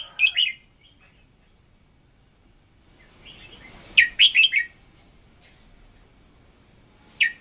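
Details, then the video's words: Red-whiskered bulbul singing to train a decoy: a short whistled phrase, a pause with soft rustling, then a quick burst of four or five bright warbled notes and another phrase at the end. "Luyện Giọng Chào Mào Mồi - Chào Mào Giàn Đạt Căng Lửa"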